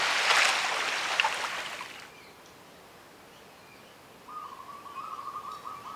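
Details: Zebra dove, introduced to Moorea in French Polynesia, singing in the morning: after a burst of loud broadband noise and a quiet pause, a soft, steady staccato cooing trill at low pitch.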